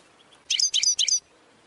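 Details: Goldfinch training song excerpt: three short bursts of tinkling, high twittered notes in quick succession, surrounded by quiet.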